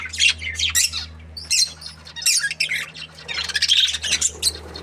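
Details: Two breeding budgerigars, said to be happy, give bursts of harsh, high chirps and squawks separated by brief pauses, with a faint low hum in the background.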